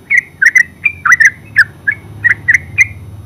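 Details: Singing yellow-vented bulbul, locally terucuk, in ngeropel style: rapid bubbly chirps, some doubled, repeated about three per second, with a low engine-like rumble underneath.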